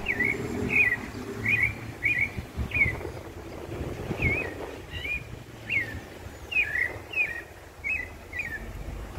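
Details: Pale-breasted thrush song in Brazil: a run of short, bright, slurred phrases, about one every second, over a low rumble of traffic or wind.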